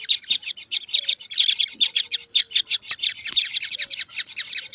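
Kingfisher chicks keep up a dense, high, buzzy chorus of rasping notes, four or five a second, with faint low background sounds underneath.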